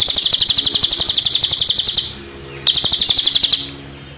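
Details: Cililin performing its 'tembakan' shooting-style song, mixed with water sounds as a tutor recording for songbirds: a dense, very high pulsed trill lasting about two seconds, a short pause, then another burst of about one second.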